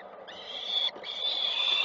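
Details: Falcon nest in Koszalin, 7 June 2023, with small prey handed over after the male's arrival; one drawn-out, high, harsh wail rises in strength, breaks briefly, then continues loud and steady.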